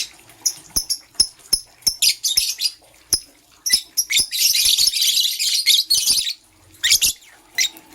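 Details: Morning chirps from green and blue lovebirds: a string of quick, thin, high ticks and chirps, then a continuous harsh, scratchy chattering stretch lasting about two seconds, ending with a few more sharp chirps.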